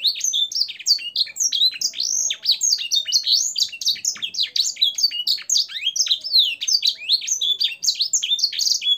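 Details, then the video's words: Canary song with blackthroat and sanger style fills, used as a tutor for caged birds: a dense, continuous run of high chirps, sweeping whistles and buzzy notes with almost no pauses. "suara burung kenari gacor isian blackthroat dan sanger untuk masteran"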